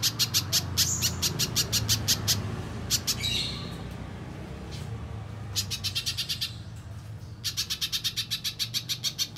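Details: Little spiderhunter singing hard, a recording meant to draw other spiderhunters into song and to train competition birds. Quick bursts of piercing, evenly spaced notes alternate with brief gaps, and a final long run closes the passage, over a low background rumble.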